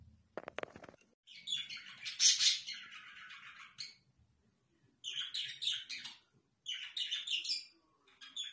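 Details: Several pet budgies produce a loud, dense warbling chatter in three bursts of a few seconds each, full of rasping trills and high squeaks, separated by short silences; a sharp knock is heard near the start.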